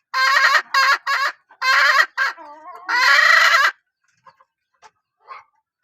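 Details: Hen of a strong-calling line uttering three quick harsh notes, a longer rasping call, softer clucks, then a long loud drawn-out call trailing into faint clucking.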